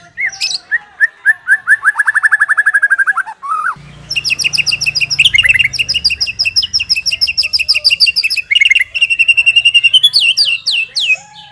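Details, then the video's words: Master song of a captive white-rumped shama used to train other shamas: quick repeated whistled notes followed by long, dense runs of high chattering, trilled and buzzy phrases, with a low background hum. "Suara masteran burung murai batu"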